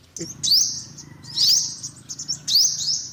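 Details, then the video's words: Three bursts of shrill, rising sweeps from an olive-backed sunbird, about a second apart, against a low rumbling background. "tiếng chim hút mật 5 màu bụng vàng"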